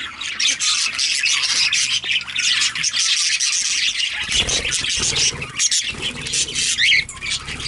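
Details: Two female budgerigars kept as pets chatter nonstop, a steady stream of raspy high squawks and scratchy warbling with short clicking notes and a couple of brighter whistled peaks; faint low hum beneath.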